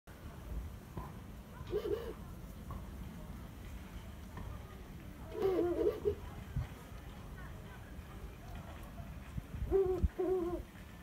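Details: A Ural owl (Japanese subspecies), recorded 27 Mar 2022 on a day it called a great deal, gives three short, deep, wavering hoots about four seconds apart over a low steady rumble.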